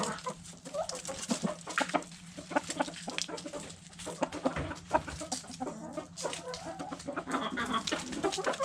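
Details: Backyard hens feeding on food scraps: dense, irregular clucks and pecking taps throughout, several birds calling over each other.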